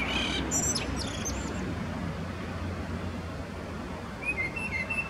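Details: Male common blackbird singing in Zurich canton, Switzerland, 21 February 2017; it sings mostly at dim dawn and dusk. A short burst of high, thin twittering, then quieter fluty whistles over a low rumble.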